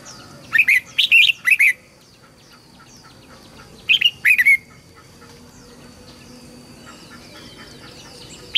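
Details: Red-whiskered bulbul song for teaching young birds and prompting wild-caught birds to sing: a phrase of quick, bright whistled notes, a shorter one three seconds later, then faint distant chirps.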